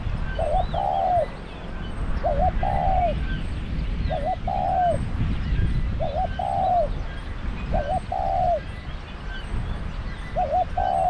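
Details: Thai trapping-pen decoy spotted dove coos in a steady series of six phrases, roughly every one and a half to two seconds. Each is a quick double note leading into a longer falling, hoarse croon, heard over a low background rumble.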